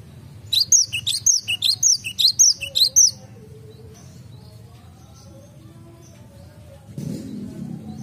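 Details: Cinereous tit in a garden, singing one rapid string of about ten high, piping whistled notes. After the song stops comes a long quiet stretch, ending in a soft low thump.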